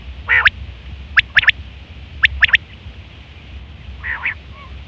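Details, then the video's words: Female quail sounds recorded for luring quail during the hunting season: clipped notes in pairs and triplets, sharp and rising, followed by a softer blurred note, over low background hum. "female quail sounds"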